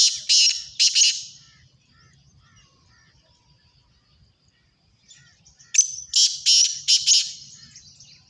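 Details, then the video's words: Black francolin calling, harsh grating bursts in two clusters, two loud notes then a rapid string of four or five, separated by a few seconds of quiet with faint distant chirps. "kala Teetar ki awaz"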